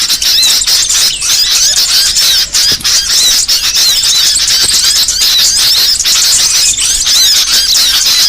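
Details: Small songbirds (burcil) in a varied recording made for training songbirds: dense, unbroken high twittering with quick squeaky notes and chattering trills, loud and continuous with only brief dips.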